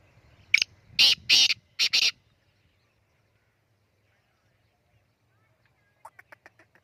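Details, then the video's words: Black francolin calling in Khushab, Pakistan: a short sequence of loud, harsh grating notes in quick succession, then a quiet stretch and a faint series of short clicking notes near the end. "kala teeter ki awaz"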